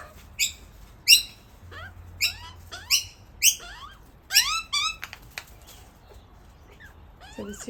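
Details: Young Australian magpie begging its parents for food, siblings nearby; a rapid series of rasping, rising squawks, about nine calls in five seconds, then quieter chatter and faint speech.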